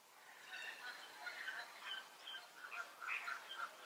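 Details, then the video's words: Several European bee-eaters calling back and forth with "prüt" contact calls that mean all is in order; many rolling and liquid notes overlap in a busy, continuous chorus. "European Bee-eater: Contact Calls"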